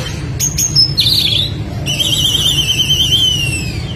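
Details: Oriental magpie-robin fighting song for training young birds: sharp clicks and a short whistle, a buzzy warble, then a long wavering trill slowly sliding downward, over a constant low rumble.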